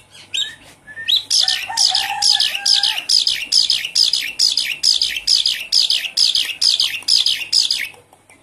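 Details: Javan pied starling song used to make a caged bird resume singing: a few low whistles followed by a fast run of harsh, chattering notes repeated evenly, about two per second, for several seconds.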